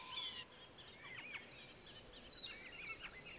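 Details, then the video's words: A common linnet (Carduelis cannabina) sings a quick, varied twitter of high, bright chirps and short slurred notes after a brief burst of hiss, in the UK. "The Linnet Song | Carduelis cannabina"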